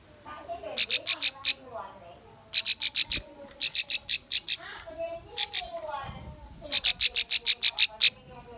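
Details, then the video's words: Bar-winged prinia lure song for young birds: repeated bursts of four to eight high, staccato notes, with softer lower chattering and twittering between the phrases. "PANCINGAN SUARA CIBLEK AMPUH COCOK UNTUK BURUNG BAHAN"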